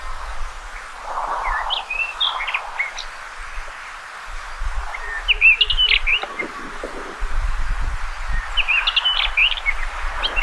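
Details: Common rock thrush giving several separate warbled phrases of sharp whistled notes and fast chattering trills, spaced by pauses of a couple of seconds, with low rumbling background noise.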